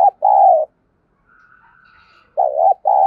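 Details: Decoy spotted dove cooing in the thúc bổi style, used to provoke wild doves into cooing: loud, low, hoarse coos, a short phrase, a pause with a faint thin tone, then two more bursts, the second dipping in the middle.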